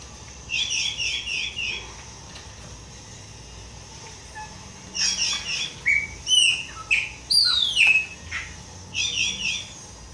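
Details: Pale-breasted thrush singing a series of phrases: a quick repeated chirping run, then loud whistled notes with sharp downward slurs and warbles, ending with another rapid repeated trill.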